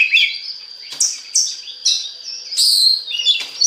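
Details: Oriental magpie-robin (kacer) song played to spur other magpie-robins into singing: loud, varied whistled and chattering phrases in bursts, high-pitched with sweeping notes and harsh rasps, clean background.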